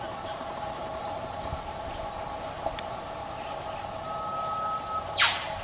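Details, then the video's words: Australian whipbird foraging in leaf litter, calling to another: a drawn-out, mid-pitched whistle runs for several seconds, then a single loud whip-crack sweeps steeply downward at the end, over scattered high chirps and a humming background. "WHIPBIRDS - 'Cracking the Whip'"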